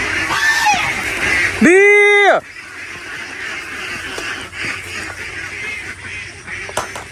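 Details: A domestic duck on a duck farm in the Philippines gives one loud, harsh, nasal quack at feeding time, over soft flock chatter and farmyard noise; the female ducks are very noisy and answer when called.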